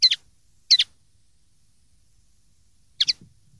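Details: Common linnet singing, a recording for training juvenile linnets: three doubled, high, slightly nasal chirps, the first two close together, then a pause before the last.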